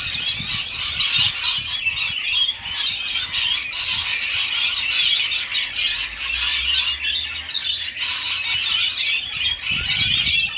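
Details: Rainbow lorikeets being fed, a continuous wall of shrill squeals and harsh chatter, with some low thumps and knocks in the background.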